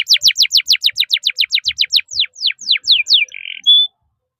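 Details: Canary singing loud, fast descending whistled sweeps repeated about four per second, slowing toward the end, then a short buzzy note and a high whistle; kept as a master tutor song with 'cuit cuit' chirps and long rolls.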